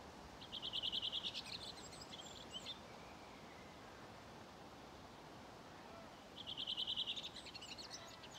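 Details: Redwing at the Ljustorpsån gravel pit in Timrå, Sweden, 5 June 2023, giving two dialect song phrases about six seconds apart, each a fast series of bright, high notes falling away into a quieter chattering twitter.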